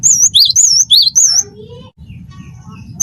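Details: Cinereous tit (gelatik batu) singing wingko style: rapid high wavy whistles interleaved with lower slurred notes for over a second, followed by faint tonal background sounds and low hum.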